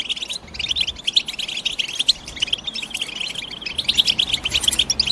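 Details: European goldfinch chirping in fast, bright twittering bursts, high and clipped, packed densely and growing busier toward the end; overlapping notes suggest several birds calling together.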